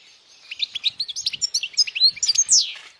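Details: Powerful European goldfinch song for youngsters to memorize, a dense three-second burst of sharp liquid twitters and quick upslurred and downslurred notes, growing louder toward the end.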